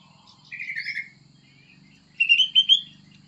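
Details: Plain prinia singing: two short bursts of rapid, buzzy, trilled notes, the first lower and the second higher and louder, separated by a pause of about a second over a faint low hum.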